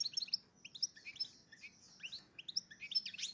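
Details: Goldfinch crossed with red agate canary, in breeding condition, delivers bright high twittering: rapid chirps and short sliding notes in quick bursts, separated by brief pauses.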